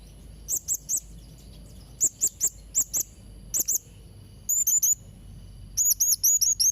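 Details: Vigorously singing blue-crowned hanging parrot, offered as tutor song for young birds: short, very high, sharp squeaky notes in quick doublets and triplets, then rapid runs of five to six chirps near the end, over faint low background noise.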